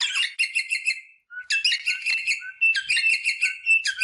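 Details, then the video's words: Rosella parrot sounds for stimulating mating, continuous fast buzzy chattering in long phrases with a short pause near the start. "صوت طائر الروزيلا للتحفيز على التزاوج │The sound of the rosella bird to stimulate mating"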